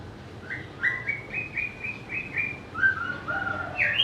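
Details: Melodious song of a white-rumped shama, a species able to imitate other birds: a row of short, bright whistled notes repeated at an even pace, then lower sliding whistles and a final rising phrase.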